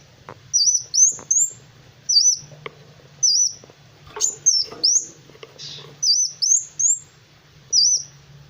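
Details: Sunbird (kolibri wulung) in lively, vigorous gacor song used as a masteran for tutoring other songbirds: loud, very high, sharply looping whistled notes in short paired bursts, separated by brief pauses, with faint low background hum.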